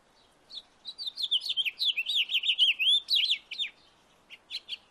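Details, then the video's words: House finch singing in a backyard: a rapid, warbling run of varied chirps and slurred notes, rising and falling, lasting about three seconds, followed by a few separate short chirps. "House finch singing sound in my backyard"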